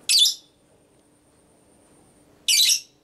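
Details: Female lovebird ngekek, used to provoke other lovebirds: two rasping, shrill bursts about two and a half seconds apart, with near silence between them.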